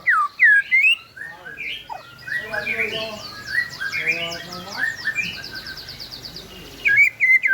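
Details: White-rumped shama song played to prompt silent birds to sing: loud rising whistled notes at the start and end, with a busy middle stretch of mixed chirps, buzzy trills and rapid twittering.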